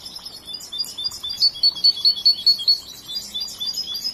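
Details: Young trained European goldfinch, a large bird not yet finished learning its song, gives soft twitters and then a clear run of bright, evenly spaced high notes before the twittering fades.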